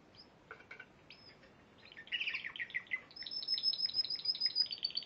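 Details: Spanish Timbrado canary, a Piala Raja champion from March 2014, begins with faint scattered chirps, then breaks into a buzzy rolling phrase and a long, ringing, high trill of rapid repeated notes.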